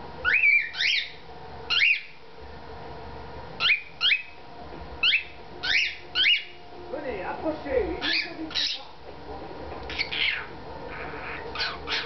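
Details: A male pet cockatiel wearing a collar sings again after three days of silence following surgery, in bursts of bright, upswept whistles and chirps, repeated every second or so.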